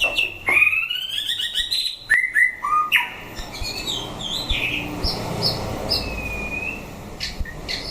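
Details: Fighting-test white-rumped shama opens with loud harsh rising rasps and strong whistles, then trails into softer scattered chirps and thin high notes over low hum.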